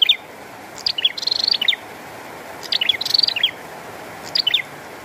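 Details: Bar-winged prinia singing actively in the rain: three high phrases about every one and a half seconds, each of sharp chips running into a fast, thin, buzzy trill, over a steady hiss of falling rain.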